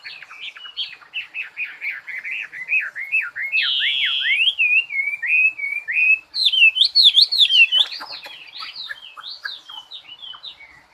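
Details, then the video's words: Bird singing a long, varied, warbling song of rapid slurred whistled notes that rise and fall, running almost without pause and growing louder and more complex midway, with sharper high phrases near the end. "Chim hót"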